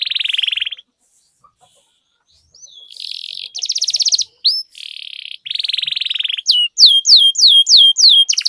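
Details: Training song of a canary, played to push other canaries to sing with long rolls: buzzy trills and pulsed rattles, then a rhythmic series of sharp descending whistles, about three per second.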